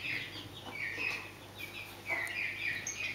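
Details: Scaled quail calling: short slurred mid-pitched notes that rise and fall, given in quick overlapping bursts, with a faint steady hum underneath.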